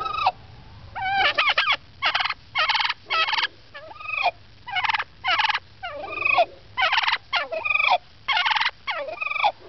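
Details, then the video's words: Turkey from 2006 chattering away in a talkative run: a steady series of short rattling gobble bursts and bending yelps, roughly one every second or so, with brief quiet gaps and a low background hum. "Turkey Talking"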